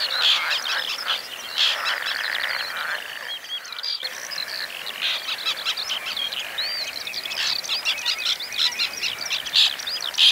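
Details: White-winged terns at a breeding colony in the Oostpolder in 2015, nesting there for a second time: harsh, rasping chatter from many birds calling over one another without pause, with a steady high hiss behind.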